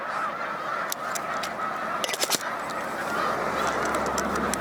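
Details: Large flocks of Snow Geese resting on Cayuga Lake, New York, during spring migration on 20 March 2021: a dense, continuous chorus of overlapping nasal honks, with a few sharp clicks and knocks standing out.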